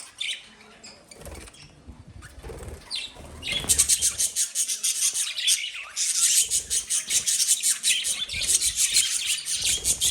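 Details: Pet lovebirds chirping: a quiet, scattered start with a few low thumps, then from about four seconds dense, shrill, high chirps pour out in rapid overlapping bursts without pause.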